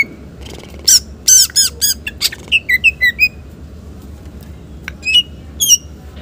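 A green leafbird sings a rapid, varied run of sharp whistles, squeaky chirps and slurred high notes in short bursts, over a faint low indoor hum.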